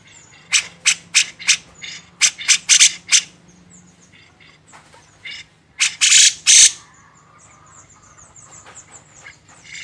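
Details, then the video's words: Grey-cheeked bulbul song kept as a master recording for training songbirds: bursts of loud, harsh chattering notes in quick series, a pause, then more rasping bursts and faint softer notes. "masteran burung cucak jenggot"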